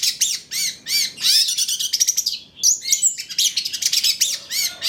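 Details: Long-tailed shrike of the trotol type giving a varied lure song. Repeated arched, ringing notes alternate with quick buzzy chatter and bright whistles, forming a busy, nearly continuous phrase.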